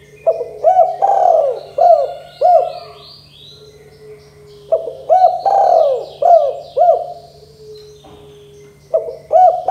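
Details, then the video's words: Spotted dove repeating its 'kuk 2' coo, used to get young doves calling. Two full phrases come about four seconds apart, each a run of hooked low notes around one long throaty coo, and a third phrase starts at the end. Faint high chirps play in the background. "Suara Tekukur Derkuku KUK 2 GACOR DOR Bikin burung Tekukur BAHAN MUDA BAKALAN CEPAT GACOR"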